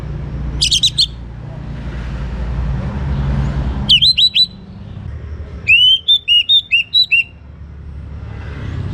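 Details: Orange-headed thrush, a young bird singing steadily, used to encourage other birds to sing. A short sharp burst is followed by quick chirped whistles and then a run of about seven clear, looping, high notes, over a steady low rumble.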